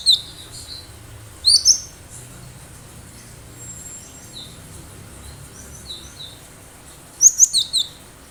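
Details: Wild cinereous tit recorded as a lure for other birds: a pair of high chirps early, then soft thin notes, then a closing cluster of four rapid sharp notes; quiet background.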